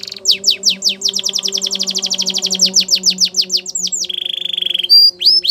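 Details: Canary song meant for training canaries to sing, Belgian canary style: rapid series of descending whistled sweeps in fast trills, then a sustained buzzy roll near the end, with a faint low steady hum beneath.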